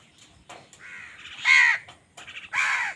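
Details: Two drawn-out, grating caws, the first preceded by a softer lead-in note, from angry crows fighting other birds for food.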